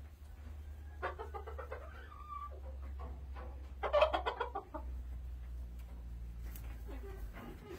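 Red junglefowl clucking in short, throaty bursts, loudest in a quick run of notes midway, over a steady low hum.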